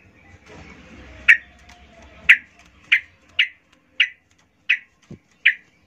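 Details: Calling female yellow-vented bulbul luring males: seven loud, clipped chip notes spaced irregularly about half a second to a second apart, over faint background noise, with one low knock near the end.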